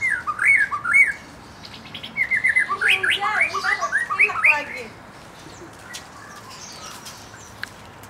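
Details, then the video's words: White-rumped shama, a young forest-caught bird and fledglings, stirred to sing: varied rapid whistled phrases with rising slurs and chattering notes for about five seconds, then quiet with faint clicks. "Mancing emosi murai batu bahan muda hutan dan trotolan cepet ngeplong"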